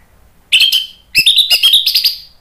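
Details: Orange-headed thrush in full song, used to provoke other birds into answering in the loud 'ngeplong' style: two bursts of rich, rapidly varied whistles and warbled notes, the second longer and sliding through high phrases.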